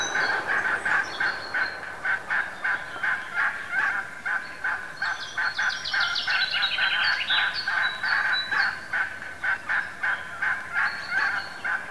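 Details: Domestic turkeys (Meleagris) giving rapid, repeated clucking and gobbling notes, a steady chorus of short harsh calls.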